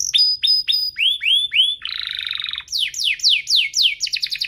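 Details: Canary song meant to get canaries singing: clipped repeated notes, upswept whistles, a buzzy trill lasting under a second, then fast descending slurs and chips.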